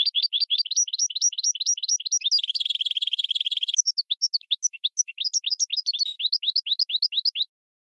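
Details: Goldfinch crossed with red canary singing for bird training: steady rhythmic upswept chirps, a dense buzzy rattle in the middle, then looser scattered notes returning to the regular chirping series.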